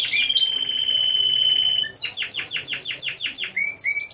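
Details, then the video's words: Four Timbrado Español canaries singing as a team at a November 2015 singing competition. A level, rolled whistle is held for nearly two seconds, then comes a string of about eight separate down-swept notes, roughly five each second, then brief whistles. "2ος Διαγωνισμός - Έκθεση Καναρινιών Φωνής Timbrado Español"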